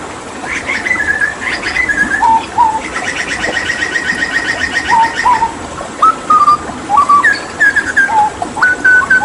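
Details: Papuan hooded butcherbird in full 'tembakan' song during water therapy: alternating rapid rattled trills and clear whistled phrases, low slurred notes and higher level whistles, repeated for several seconds over background hiss.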